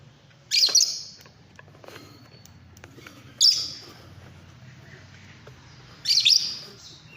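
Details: Fischer's lovebird uttering three harsh, high squeaky screeches about every three seconds, each with a couple of quick warbled inflections, plus faint clicks and a low hum between.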